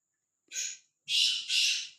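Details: Black francolin, said to roam freely and without fear, giving a short rasping note followed by a louder double grating burst, against a faint thin high tone.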